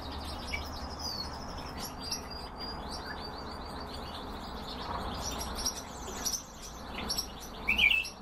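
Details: Canaries kept for breeding sing a continuous run of rapid high trills and rolls, with scattered chirps and a burst of loud sharp notes near the end, over low constant noise.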